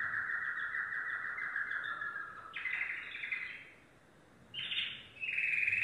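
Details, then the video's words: Yellow domestic canary singing: a long smooth roll, then louder buzzy trills, a silent gap of about a second, and a bright high trilled burst. "canary singing"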